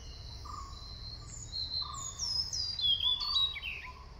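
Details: White-bellied Sholakili in Kodaikanal singing a rapid run of thin, very high whistles that slur downward in short phrases, with faint lower whistles and steady background hiss underneath.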